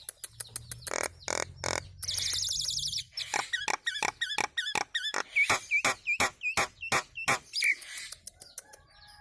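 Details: Nias hill myna song used as training audio for cage birds: loud sharp clicks and knocks alternate with harmonic whistles and looping upswept notes in a fast, irregular run, with a buzzy rattling passage near the start.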